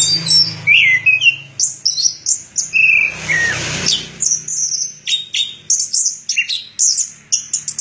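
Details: Orange-headed thrush singing a quick medley of high chirps and whistled downslurs, with a brief burst of broadband noise in the middle.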